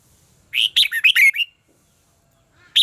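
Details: Red-whiskered bulbul contest-style fighting song for voice training: a rapid phrase of about six bright warbled whistles, rising and falling, then a pause and a single sharp note.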